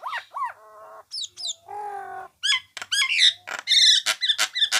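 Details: Nias hill myna song meant for training songbirds, with looping whistles, a flat nasal honk, a long low droning note, and then loud harsh squawks and bright whistles in close succession.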